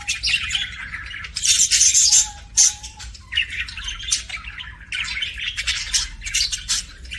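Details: Happy chirping of pet budgerigars, dense bursts of high scratchy chatter separated by brief pauses, with one short steady whistled note early on.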